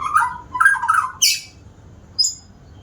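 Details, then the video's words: White-rumped shama, said to sing diligently, giving short bursts of warbled notes in the low-middle range, then a sharp high burst and a brief thin high whistle after a pause. "Burung murai batu rajin bunyi ni contohnya"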